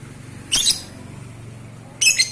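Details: Lovebird sound meant to stir breeding desire: two short, harsh, high squawks about a second and a half apart over a low steady hum.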